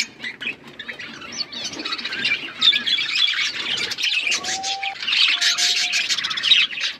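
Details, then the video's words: A flock of colourful pet budgies chirping during play: rasping squawks and fast warbled chatter build louder, with a couple of short, steady whistled tones mixed in. "Beautiful budgies colour chirping and playing with each other"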